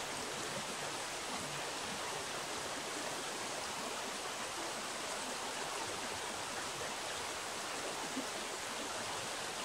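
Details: Steady rushing water from a stream fills the whole recording as an unbroken, even hiss, with no animal calls heard.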